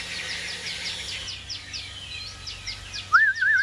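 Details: Caged Chinese hwamei kept as a songbird: a fast series of thin, down-slurred chirps, then a loud wavering whistle near the end, over a steady low hum.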